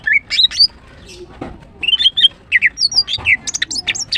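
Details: A female greater green leafbird, or green cucak, sings energetically: slurred whistles sliding up and down, chattering runs and bright squeaks packed closely together with only a brief pause.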